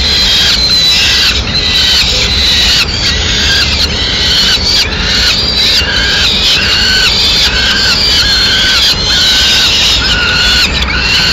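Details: Peregrine falcon female arriving at the nest with a pigeon in Madrid, 6 May 2016; series of grating, slightly descending calls about once a second, over constant low rumble.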